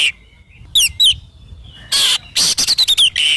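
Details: Oriental magpie-robin (kacer) singing energetically, used as a training and therapy recording for morning and evening: sharp high whistled notes, a harsh buzzy burst, then a quick run of clipped whistles ending in a rasping note.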